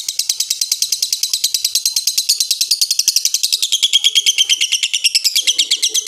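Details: Lovebird giving a rough, slow-stopping ngekek: a long chattering trill of rapid, evenly spaced shrill notes, about eight per second, gradually dropping slightly in pitch toward the end, with no other sounds.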